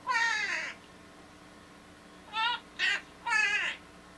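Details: Pet Quaker parrot singing "Walk This Way": a long rasping, harmonic squawk, a pause, then three shorter strained syllables in quick succession; indoor setting, a person praising the bird just after.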